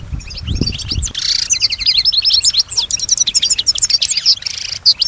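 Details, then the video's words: European goldfinch, a pet said to mimic nearby sounds, sings a lively run of tinkling twitters, short whistles and buzzy bursts, after a few low thuds at the start. "keep your goldfinch healthy and singing"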